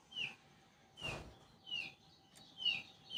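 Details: Lombok yellow flowerpecker (kecial kuning), a busy singer used as a lure recording to prompt captive birds. Thin, high, falling whistled notes repeat about every half second to one second over a faint steady background tone.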